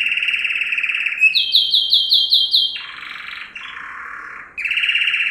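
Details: Male yellow canary (Serinus canaria) sings a canary training song: a steady high rolling trill, a run of rapid piping notes, two lower buzzy rattles, then the rolling trill returns, with a clean quiet background.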